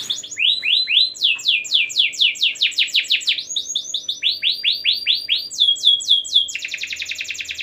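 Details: Canary delivering a long, rich song for prompting other canaries to sing: series of loud descending swept notes repeated about twice per second, grouped in changing phrases, ending in a high fast trill.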